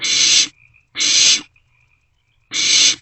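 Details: Wild barn owlets in a nest box at night, 27 March 2024, sharing and passing a vole; three harsh, breathy hisses about half a second long, with short quiet gaps between them.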